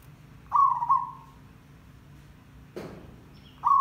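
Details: Zebra dove trapping lure: a wavering mid-pitched coo fading over a second, then a sharp click-like knock, and the start of another coo, with low hum behind.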